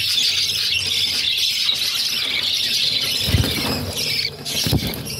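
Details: Budgerigar chicks, six in a brood, begging while their mother feeds them: a continuous raspy, hissing chatter held high and steady throughout, with a few dull low thumps and bumps near the end.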